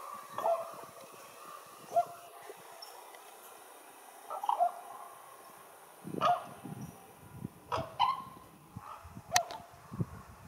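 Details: Raven giving short, hoarse calls, single or doubled notes spaced about every two seconds, growing more frequent toward the end, over a steady background hiss.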